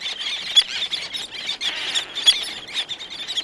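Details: Several black-naped terns calling nearby, others distant: shrill, rasping squeals delivered in uneven bursts roughly every second or two, with overlapping birds between them.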